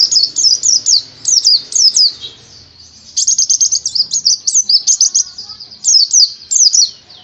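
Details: High, bright white-eye (pleci) song: groups of sharp, slurred chirps, then a fast rattling series of clipped notes, then more looping chirps, all rapid and energetic.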